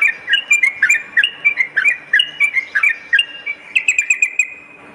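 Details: Sooty-headed bulbul song used as a lure, for morning and night: short chattering whistled notes repeated about three per second in a lively, steady run, each note dipping and rising, with no other clear sounds.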